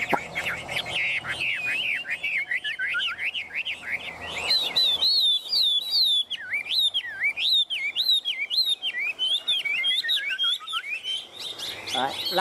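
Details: Caged Chinese hwamei singing while its cage is shaken and it is teased, to show how tame it is; a loud, fast, varied run of looping whistled phrases, rising and falling, with short buzzy notes mixed in and no pauses.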